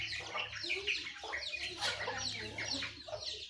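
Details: Jongkangan, Terucukan and Pleci birds at dawn-time: a thick tangle of high twitters and short descending chirps from many birds at once, over a steady low hum.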